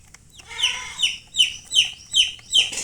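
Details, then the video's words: Chicks chirping: six loud high peeps, each sliding downward, spaced evenly about every 0.4 seconds after a short quiet start. "Baby "Chicks Chirping" Sound"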